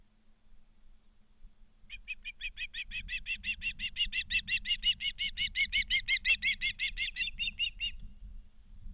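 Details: Ospreys at a nest in Charlo, Montana, on 12 September 2023 in the afternoon: a fast, steady series of sharp, high whistled chirps, about three per second, swelling then stopping, over low rumbling background noise.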